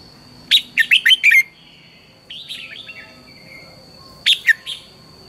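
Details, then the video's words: Red-whiskered bulbul singing in the morning, recorded as lure-bird song for training other birds: quick runs of loud, sharp chirps, softer warbled phrases between them, then another chirping burst, over a constant thin high tone. "luyện chào mào hót sáng, Hót hay KÍCH BỔI NHANH CĂNG LỬA, Cách luyện chào mào hót căng lửa"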